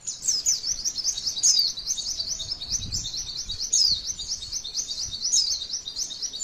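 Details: Continuous shrill twitter from a female white-eye, a song used to spark singing in other birds, made of rapid repeated high slurred notes with sharper accents about every one and a half seconds.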